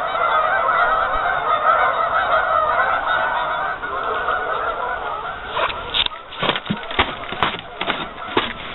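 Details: Many geese on a partially frozen lake, a dense chorus of overlapping nasal honks filling the first half, then thinning into separate sharp honks and clicks toward the end.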